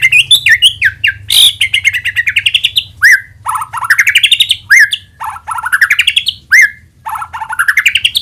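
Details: White-rumped shama lure song to trigger singing; loud rising whistled sweeps and rapid stuttered phrases repeated in bursts about every one and a half seconds, over a faint low hum.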